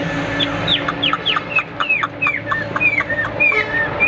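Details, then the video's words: Kept Hwamei giving a fighting display, pouring out a rapid run of loud, clear whistled notes that slide steeply downward, roughly three to four per second, with some notes flatter and higher later on, over a steady low hum. "HM 1997 - Đầu mặt cực - Đẹp đấu xòe chất giọng cực hay"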